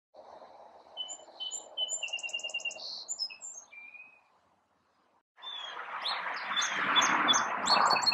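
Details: A male sparrow sings high chirps and quick buzzy trills for about four seconds over a low background hum, then loud rushing noise with a few faint chirps.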